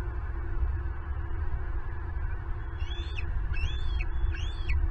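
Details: Southwest Florida nest-cam bald eagle, recorded while an intruder takes a turtle meant for two eaglets; after quiet rumble, three high arched whistled notes come in the final two seconds.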